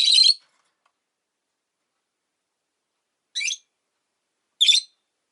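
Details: Three harsh, high chirps with long silences between them, from caged Rosy-faced lovebirds, five pets kept by a window, calling often in winter.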